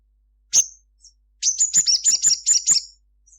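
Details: Sunbird, locally called sogon, singing vigorously at midday with a 'cruit cruit' song: one sharp, very high note, a faint short note, then a fast run of about seven thin, high chirps over one and a half seconds.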